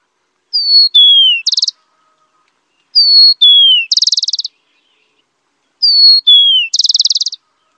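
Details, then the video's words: Rufous-collared sparrow repeating its song three times: a pure high note, a second note sliding lower, then a short buzzy trill, spaced roughly 2.7 seconds apart in quiet surroundings. "SUARA HEWAN SUARA BURUNG TICO TICO"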